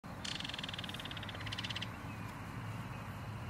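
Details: A Belted Kingfisher in Florida gives a loud, dry, rapid rattle lasting about a second and a half, over a steady low rumble of background noise.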